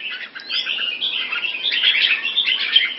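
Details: Red-whiskered bulbul in molt, a kept bird in Singapore, 4 June 2017: a rapid, continuous run of bright chirps and short whistled notes, with one rising slur near the start.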